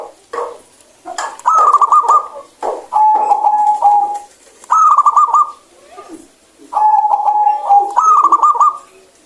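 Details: Local zebra dove, described as clear-voiced and singing freely, giving rapid trilled coos near one pitch. The phrases alternate with level, steady coo notes and repeat about every two to three seconds, with clicks and room noise between phrases.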